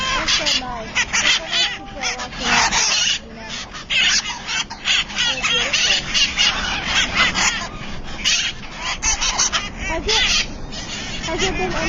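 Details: A colony of Himalayan hill parrots chatters non-stop: harsh, screechy squawks and rasping notes overlapping in a dense, busy din with no clear pauses.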